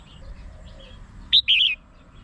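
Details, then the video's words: Red-whiskered bulbul song used for bird trapping: one sharp high note, then a brief rippling warbled phrase, with faint chirps of other birds beforehand. "suara burung merbah jambul.merbah jambul mp3"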